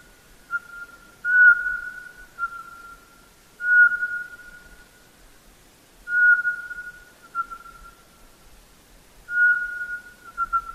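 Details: Soft, repetitive whistled song of a Eurasian pygmy owl: a steady-pitched note every two to three seconds, each fading gradually, five notes in all, clean and otherwise silent.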